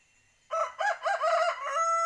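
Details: Free-range village rooster (ayam kampung) crowing: a loud, harsh, multi-part cock-a-doodle-doo of several rasping syllables, ending in a long, steady held note.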